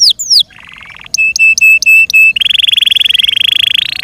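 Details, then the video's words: Yorkshire canary song with a few falling whistles, a soft low trill, five flat ringing notes in a row, then a long rapid buzzy roll. "THE BEAUTIFUL SOUND OF FI YORKSHIRE CANARIES"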